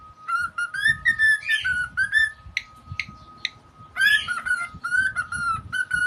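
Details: A pet cockatiel gives bright, warbling whistles in quick bursts, mixed with a few short chirps.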